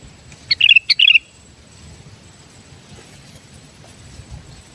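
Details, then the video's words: Sooty-headed bulbul, a pet bird used to attract wild bulbuls, gives two quick lively phrases of sharp chips and fluid slurred whistles near the start, then quiet background with a faint hum. "Suara Burung Kutilang Gacor"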